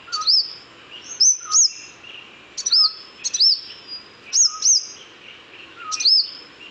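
Purple-rumped Sunbird giving thin, high, sharp chirps in pairs and singles, each an arched upward-then-down note, spaced irregularly about every second or two.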